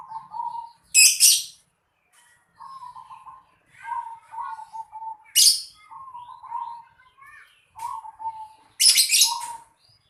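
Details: Zebra dove in a house yard repeating trilled, bubbling coo phrases, with three loud bursts of shrill high chirping from another bird cutting in between them.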